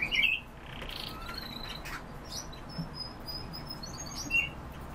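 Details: European bee-eater giving a burst of rolling, burry trilled notes at the start, then a quieter single trill near the end, with faint thin high sounds and a constant low rumble behind.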